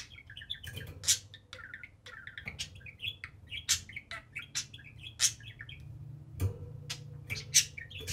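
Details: Two pet budgerigars, a pair, play on top of their cage indoors, keeping up a busy warbling chatter of short rising and falling notes broken by sharp, bright clicks and chirps at irregular intervals.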